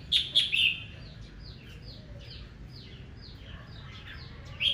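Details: Red-whiskered bulbul singing aggressively in the morning, stirred up to sing in contest: loud bright whistled notes at the start and end, between them a run of faint descending chirps from many birds over low rumbling background noise.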